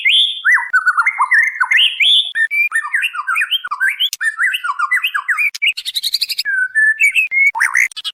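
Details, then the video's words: Female white-rumped shama calling to the male: dense whistled phrases jumping up and down, with fast slurred notes and a few scratchy, buzzy bursts near the end, delivered loudly without pause. "SUARA MURAI BATU BETINA MEMANGGIL JANTAN"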